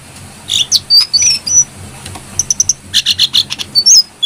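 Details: Brown-throated sunbird calling energetically for songbird training: scattered sharp high chips and short whistles, a quick four-note ticking run, then a cluster of harsher buzzy chirps and thin slurred whistles.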